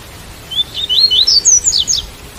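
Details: Double-collared seedeater in the Tui Tui song style, recorded with rain sound: a rapid phrase of about eight sharp rising whistles, quickening and ending in a tight cluster of high notes.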